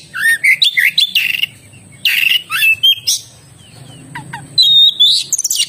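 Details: Song of an oriental magpie-robin: bursts of rich rising and falling whistles and buzzy notes, a pause with two low downslurred notes, then a long clear high whistle and a final chattering flourish.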